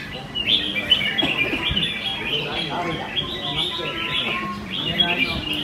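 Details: Competition song of red-whiskered bulbuls on racks at the Cup C1 contest, Thiết Mộc Chân field, Quy Nhơn, Vietnam, morning of 21 June 2020; continuous chattering, fluty phrases from several birds, with voices and crowd noise beneath.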